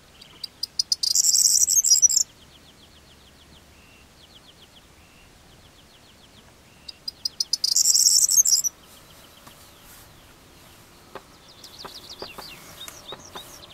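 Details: A corn bunting near Trabzon gives two songs about six seconds apart, each a few accelerating ticks running into a high, dry jangle like shaken keys. Faint chirps from other birds or insects sound between.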